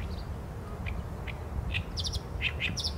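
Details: Oriental reed warbler song on a Sony A7M3 recording: a few spaced, gravelly notes that quicken into short harsh chattering bursts toward the end, with low steady rumble underneath.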